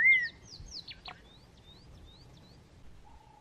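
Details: Black-crowned tchagra in Kruger National Park, a bird that often hides on low bush branches, giving clear whistled notes: a loud opening whistle, quick falling slurs, then softer rising whistles and a low closing note.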